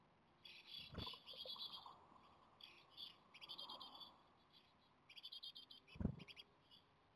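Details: Begging for food from Japanese tit nestlings 17 days into brood rearing, a day before possible fledging. Rapid high scratchy chirping comes in repeated bursts, broken by two dull thuds and a soft mid-pitched rustle.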